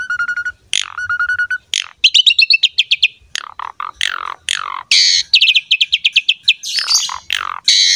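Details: Varied Asian pied starling song for encouraging young starlings to sing: steady buzzy tones, then fast trills, sweeping slurred notes and harsh chattering phrases packed closely together.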